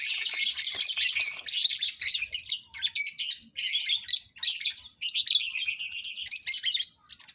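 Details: Lovebirds being matched for mating, loud and continuous: dense, shrill, buzzy chattering in rapid pulses, broken by a few short pauses.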